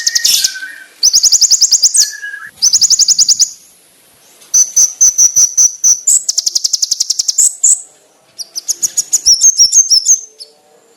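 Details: Konin training song, loud and sharp: repeated fast buzzy high trills separated by pauses, a few lower whistled notes, then rapid stuttering high phrases.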